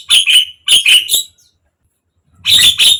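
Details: Javan myna, used to coax a silent bird into singing, giving loud harsh squawking notes in two quick bursts, a pause, then two more raspy notes.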